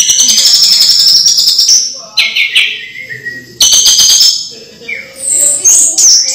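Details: A home-kept orange-headed thrush delivers a rapid, buzzy high-pitched chattering passage, then lower whistled slurs and renewed fast stuttering notes. The song serves to prompt reluctant thrushes to sing.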